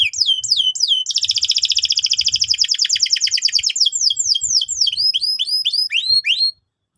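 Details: Canary singing to coach young canaries: opens with a few swooping whistled notes, then a long fast rattling roll, ending in a series of clear, rising-falling whistles repeated about three per second.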